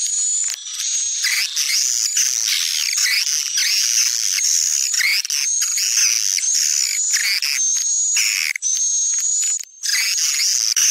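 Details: Popular Sumatran swiftlet-calling sound used to draw in swiftlets: a continuous loud stream of buzzy twittering with repeated thin whistled streaks and wavering chirps, almost without break.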